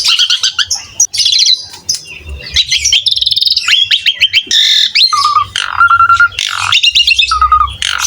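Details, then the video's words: Asian pied starling singing energetically: fast rattling trills and sliding whistles, then several short, steady whistled notes among buzzy phrases, with a low hum in the background. "MASTERAN BURUNG JALAK SUREN GACOR"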